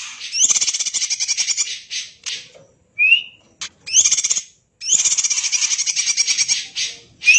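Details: Greater green leafbird pouring out dense song reminiscent of a magpie robin: long rattling chatter phrases with rising whistles, broken by crisp single upswept notes and short silent gaps.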